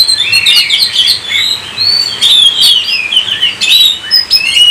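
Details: Oriental magpie-robin (kacer) singing a rich, fast run of whistled notes, sliding and warbling up and down, with a few sharp, scratchy accents, all very close and loud.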